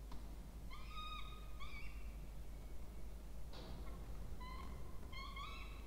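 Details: Two Peregrine falcon chicks at a nest box in a water tower, Charles Sturt University, Orange, Australia, during feeding in October 2024. Steady, level, whining calls in short groups are separated by a pause and a soft rustle.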